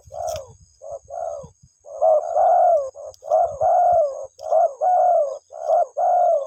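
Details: Spotted dove cooing to call its mate: short soft hoots followed by longer drawn, gently falling coos, grouped in repeated phrases; faint low rumbling noise beneath.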